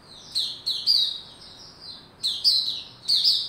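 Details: Cage-kept white-rumped shama cranking up before song, 27 December 2021: a rapid run of high, slurred whistles with sharp clicks, a brief lull, then two more strong downward whistled notes.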